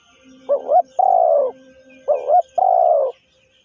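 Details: Spotted dove cooing twice, each time a quick wavering note then a long smooth falling coo. A faint steady low hum runs underneath, with soft high chirps now and then.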